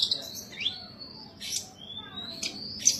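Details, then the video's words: Caged Indonesian bush lark in full song: thin sliding whistles linked by sharp high chirp bursts at roughly one-second intervals, fairly quiet against a low background hum. "suara burung branjangan gacor"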